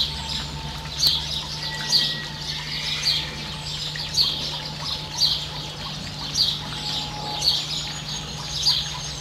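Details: Variable oystercatcher with a chick, New Zealand: a series of sharp, high piping calls at uneven intervals around a second apart, plus a faint mid-pitched whine and low hum.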